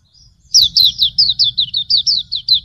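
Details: Hume's white-eye tutor song: a quick, bright chain of thin, slurred high notes, each falling in pitch, steadily repeated.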